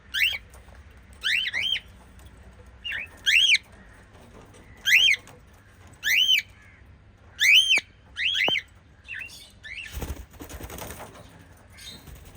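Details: Five lovebirds give sharp, rising-and-falling chirps in short bursts, repeated every second or two; lovebird.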